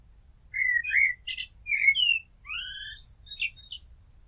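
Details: Blackbird, Turdus merula, delivering one continuous phrase: low, rounded whistles gliding up and down, then a rising sweep into a cluster of high, thin, tumbling notes.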